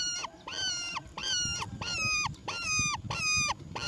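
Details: Roller chick calling as its mother brings black crickets: six steady, rasping, harmonic begging notes, each flat and then dropping at the end, repeated about every 0.6 seconds over low background rumble.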